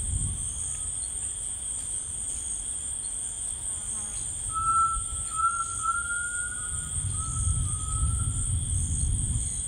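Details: Tinamou singing in rainforest: a long, pure whistled note that rises slightly, holds, then eases down over about four seconds, after a fainter short whistle. Constant high insect buzzing and a low rumble underneath.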